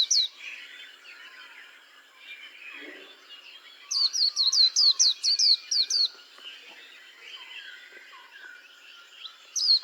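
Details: White-eye giving a quick two-second burst of high, descending chirped notes in rapid succession, with softer twittering from other birds and a low hum underneath.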